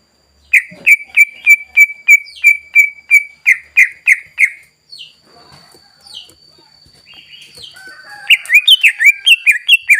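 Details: Energetic greater green leafbird song meant to provoke rival birds: a steady series of crisp whistled notes about three per second, a quieter gap with soft high calls, then a quick tumbling run of varied whistles.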